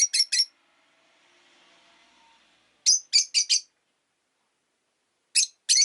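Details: Rosy-faced lovebirds, five kept in a cage by a window on a winter day, give sharp, shrill chirps in quick bursts of two to four, with a faint hum between bursts and possible street noise.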